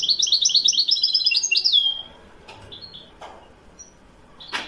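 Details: European goldfinch of the Wedani song style from Morocco, singing a fast run of bright, twittering high notes for about two seconds, ending in a drawn-out slurred whistle, followed by quieter scattered chips and a sharp click.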